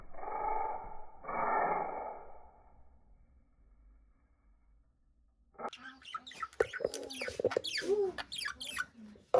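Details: Caged budgerigar chirping: after about five seconds of muffled noise and quiet, a burst of rapid, scratchy chirps and warbled notes, some sharp and high, fills the rest.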